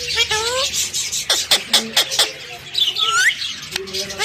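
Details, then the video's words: Pet talking parrot producing squeaky chatter with rising whistled slides, short gliding tones and sharp clicks packed into a few seconds of busy vocal play. "My talking Parrot"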